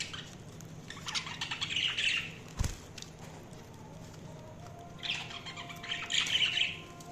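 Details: Two bursts of budgie chirping, each a scratchy warbling chatter lasting about two seconds, with a quieter pause and a single dull knock between them.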